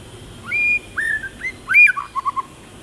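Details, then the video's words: Short phrase from a tamed white-rumped shama in forest-style song: a clear held whistle, a few downslurred notes, a sharp high flourish, then three quick low chips. "Chích chòe lửa hót giọng rừng hay"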